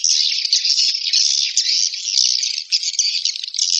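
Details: Swiftlets give a steady, loud stream of high buzzy twittering with rattling texture and hardly any pause.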